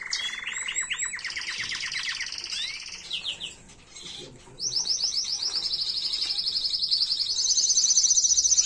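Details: Tutor song of a canary used to train chicks, 2022: rapid repeated chirp series and falling whistles, a short pause, then a long, steady, high rolling trill that grows louder.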